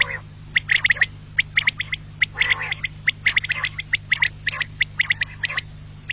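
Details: Quail call used to lure quail for hunting: rapid, dense runs of short sharp chirps and clicking notes, bunched in quick clusters, over a constant low electrical hum.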